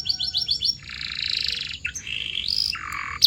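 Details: Canary training song to make canaries sing louder and longer: quick falling chirps, a long buzzy roll, then a rising slide and a low rattling roll.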